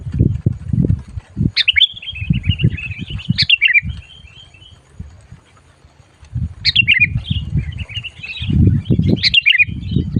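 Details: Sooty-headed bulbul calling loudly and fiercely while being lured for trapping: two bursts of bubbly, tumbling chirps about five seconds apart, each opening with a sharp upward note, over heavy low thumping and rustling handling noise.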